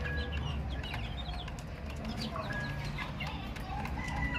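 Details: A flock of young chicks giving quick, high, down-slurred peeps at an uneven pace, a few longer level notes among them, with a low droning noise underneath.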